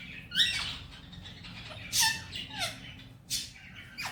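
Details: Pet male rose-ringed parakeet saying "Mitthu bete" and "Miya Mithu"; scratchy, nasal, word-like syllables at irregular spacing, some ending in short falling whistled tones, over a low indoor hum.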